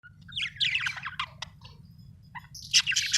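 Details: Budgerigar chirping: bursts of scratchy, buzzy warbled notes and sharp chirps, pausing midway before a louder burst of harsh chattering at the end; a low steady hum runs underneath.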